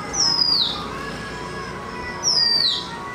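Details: Oriental magpie-robin singing: two clear high whistled notes, each sliding downward, about two seconds apart, set against a steady hiss of broad background noise.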